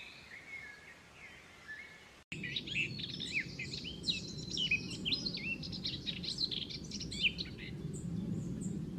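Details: White-eye youngster at feeding time, small but eating plenty. Faint wavering notes, then after a short break a dense run of high, varied twitters and chirps over steady low background noise.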